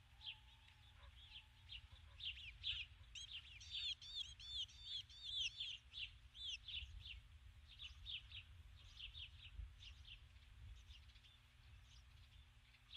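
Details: Female osprey calling for her mate from the nest at dusk, 21 July 2015, after arriving with a stick; loud, ringing, slurred high whistles and chirps tumble in a dense run, easing into sparser chirps, over a low hum.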